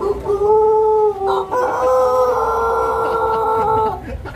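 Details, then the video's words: Pelung chicken crowing at a contest in Karangrau village, Banyumas, held at a durian agritourism site: a loud, rich, sustained crow in two parts, a short opening note then a long steady tone that holds for over two seconds and ends abruptly. "Kontes Ayam Pelung Banyumas"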